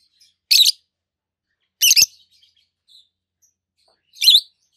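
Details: Three separate harsh, high-pitched chirps spaced over a few seconds from two adult green peach-faced lovebirds, one red-faced, one yellowish-white-faced, with a brief faint click near the second call.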